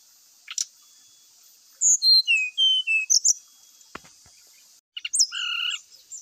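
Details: Grey-chested jungle flycatcher singing a sequence of clear whistled notes at varying pitches, separated by a sharp click, then ending with flat, sustained whistles.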